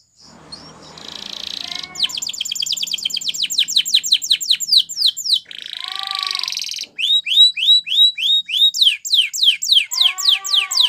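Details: Spanish Timbrado canary singing for training young canaries: metallic rolls alternate with long runs of rapid descending sweeps and rich low bubbling passages, continuous and loud throughout.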